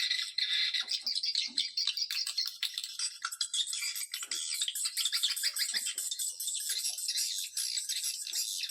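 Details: Swiftlet lure call played to draw swiftlets, a dense, continuous high chittering and rattling twitter, busy throughout with rapid clicks and buzzy trills.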